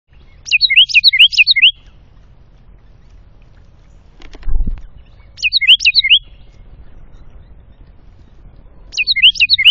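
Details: Wren singing in the afternoon near feeders set against woods and a creek in the North Georgia foothills of the Appalachians, NW of Atlanta: three bursts of rapid high trilled notes, each about a second long, with a low thump between.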